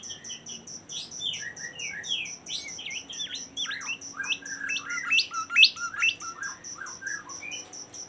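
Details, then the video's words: Bimoli song: lively sequences of sliding whistles and clipped, stepped notes that swell toward a louder burst midway, then continue as quicker twittering, with regular high-pitched insect chirps pulsing throughout. "suara super mewah burung bimoli"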